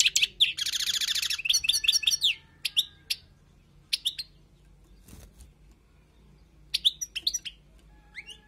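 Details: Wild European goldfinch tutoring song: a buzzy rattle and lively twittering in the first seconds, then scattered, quieter single notes and short twitters over faint background hum.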